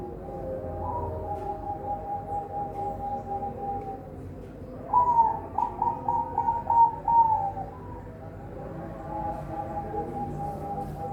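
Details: Captive-bred zebra doves at a bird farm in Semarang, Indonesia: soft low trilled cooing notes, a louder rapid stuttering coo run in the middle, over steady low background noise.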